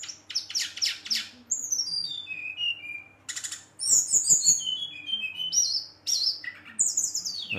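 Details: Brown-chested jungle flycatcher singing continuously at night, provoking rival birds: buzzy rattles, long descending whistled slurs and high trills in a lively, varied stream.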